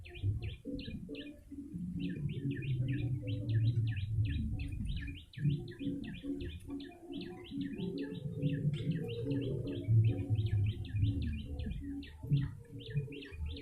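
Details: Long, lively stretch of yellow-bellied prinia chirping for bird luring: short, crisp notes delivered rapidly in near-continuous bursts, over steady low noise and a thin, sustained mid-pitched hum.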